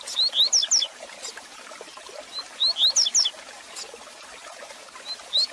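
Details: Tutor song of a double-collared seedeater for warming up caged birds: short phrases of rising whistles ending in high downslurred notes, repeated roughly every two and a half seconds, with a crackling hiss behind.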